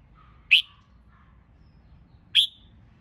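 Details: Red-whiskered bulbul recorded for training caged birds for singing contests: two bright, abrupt chirps almost two seconds apart, with faint low warbling notes from another bird in the quiet gap.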